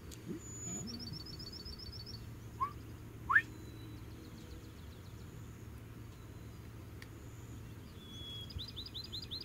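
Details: A distant male Northern Bobwhite whistles its clear two-part call, a short note then a loud sharply rising one, likely to attract a female. Recorded on a spring morning, 26 April 2019, at a ranch in Ona, Florida. Thin high chips from other birds and a low rumble run throughout.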